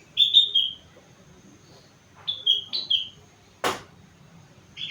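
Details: Four-month-old sooty-headed bulbul singing a song filled with rengganis imitation: bright descending whistled phrases in short bursts, interrupted once by a sharp knock, then one more whistle at the end.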